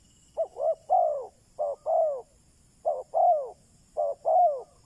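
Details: Decoy spotted dove cooing to attract wild doves: four phrases, each a short paired note then a longer falling coo, spaced about a second apart against a quiet background with faint high hiss.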